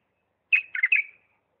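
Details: Bulbul from Diyala singing in the refined 'lisanat' style: one short warbled phrase with a clear opening note and two quick gurgling notes, brief and bright, on a quiet background.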